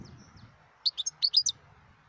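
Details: Wild European goldfinch uttering a quick sequence of about seven sharp, high chirps over roughly seven tenths of a second, with faint low background rumble before and after.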